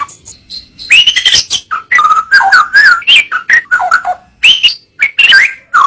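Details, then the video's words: White-rumped shama tutor recording full of dense, varied song: rapid chattering bursts mixed with clear slurred whistles that bend up and down, delivered almost without pause. "Masteran burung murai batu suata unik sukses bikin emosi"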